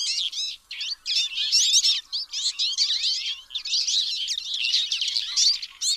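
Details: Twite chattering in quick successive bursts of high, twangy twitters, steady and busy throughout with only tiny pauses.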